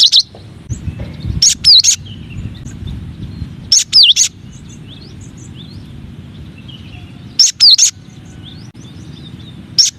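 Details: Masteran song of a cinereous tit, one of nine variations: short, widely spaced clusters of sharp high whistles, with soft faint notes in between.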